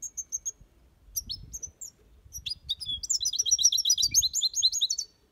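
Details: European goldfinch in an aviary singing in the copia Malaga style: high, liquid twittering chirps, sparse at first, then a dense run of rapid, rolling notes in the second half.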